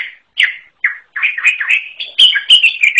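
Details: Song of a greater green leafbird, described as unusual: a run of slurred whistled notes becoming a fast, continuous warbling chatter with sharp clicks near the end.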